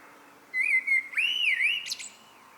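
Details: Common blackbird singing in the evening: a single rich fluted phrase, a steady whistle sliding into wavering, looping notes, closing with a brief high twitter; quiet background.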